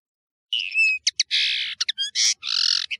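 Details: European serin (nino in Algeria, camachu in Morocco) recorded as a training tape for birds: long wheezy buzzing trills alternating with brief sharp high notes and a thin whistled phrase.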